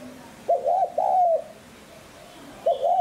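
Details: Spotted dove cooing in the 'hạp bổi sát bổi' voice style, used to stir and lure wild doves: a mid-pitched broken coo phrase, a short double note then a longer wavering note, heard twice over quiet background.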